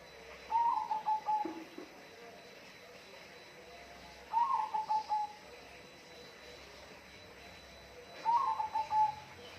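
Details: Bird calling in a loud, clear, repeated cooing phrase: a stuttering run of five or six short low hooting notes, given three times at roughly four-second intervals, over faint background hiss.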